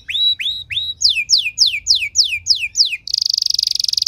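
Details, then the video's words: Canary singing a 'cengkok mewah' training phrase to entice other canaries to sing; three rising-then-falling whistles, a run of eight sharply descending whistles about three per second, then a fast buzzy trill. "Materan Burung Kenari Lagu Istimewa! Cengkok Mewah Bikin Kenari lain Ikut Terpancing jadi Gacor"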